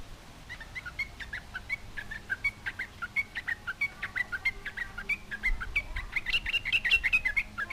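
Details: Yellow-vented bulbul singing to provoke other bulbuls to reply: steady string of short, bright chirped notes, growing denser and louder toward the end, over a faint low hum.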